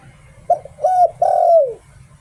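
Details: Spotted dove decoy bird singing one phrase of the 'Liu Tan' style: a short pip, a steady hollow coo and a long downward-sliding coo, heard over a quiet low-pitched drone.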